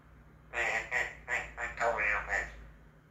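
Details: An Eclectus parrot mimics a voice heard over the telephone or video calls: about six quick, robotic, speech-like mumbling syllables over two seconds, bright and slightly nasal.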